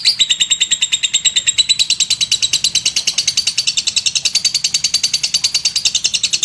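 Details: Ngekek of a lovebird, a long unbroken chatter meant for tutoring: quick, evenly paced sharp high notes, roughly three per second, shifting tone slightly after the first two seconds.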